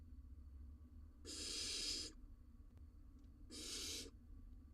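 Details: Two drawn-out breathy hisses about two seconds apart, barn owl at a nest box in Israel, breeding season, male arriving with a rodent for the young.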